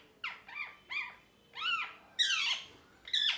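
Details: Pet parrot in a happy mood giving curved, whistled notes that rise then fall, followed by two harsher, louder rasping calls.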